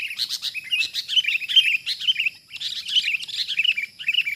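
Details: Wild sooty-headed bulbul (kutilang) reacting aggressively to a decoy bird during bird trapping: dense bursts of bright, chattering chirps with quick up-and-down notes, nearly continuous with a short pause midway.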